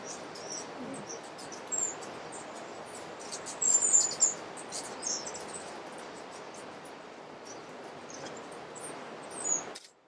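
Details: Brown violetear in Alambi Cloud Forest Reserve, Ecuador, in May 2012, giving thin, very high squeaky chips in short irregular bursts over a steady background hiss.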